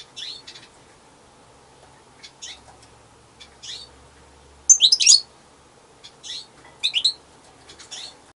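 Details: European goldfinch singing alone: brief twittering chirps at irregular intervals, with a louder tinkling burst mid-way and another pair of bright notes later.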